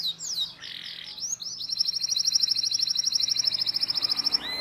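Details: Canary singing as a model for young birds learning sounds: a few slurred notes and a rough buzzy phrase, then a long, even, rapid trill at high pitch, ending with a falling whistle.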